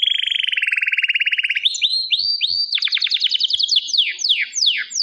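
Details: Canary song opening with a fast, even low trill, then rising slurred whistles, a rapid cascade of sweeping notes and slower downward-swept whistles.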